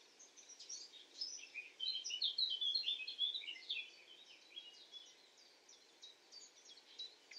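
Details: Common nightingale (Luscinia megarhynchos) singing at night: a rich, rapid run of varied whistles and chirping notes, loudest mid-phrase, then thinner scattered high notes over a steady background hiss.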